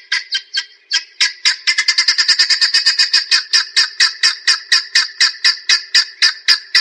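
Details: Grey junglefowl uttering harsh, staccato clucking notes. They start uneven and sparse, then speed into a dense rattling series before settling into a steady, repeated cackle.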